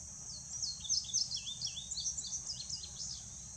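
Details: Male indigo bunting delivering a lively song of high, sharp notes, many given in pairs, sweeping down and up in quick succession, over a steady high-pitched insect drone.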